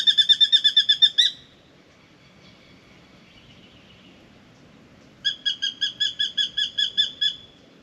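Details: Spangled drongo in a mango tree scolding a Pied Currawong it won't come down to confront: two bursts of rapid, harsh, metallic notes, about ten in just over a second, separated by a few seconds of quiet.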